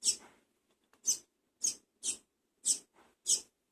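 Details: Double-collared seedeater chick, from a first captive brood, begging while being fed. It gives soft, hissing, high-pitched bursts, six in under four seconds, at irregular intervals.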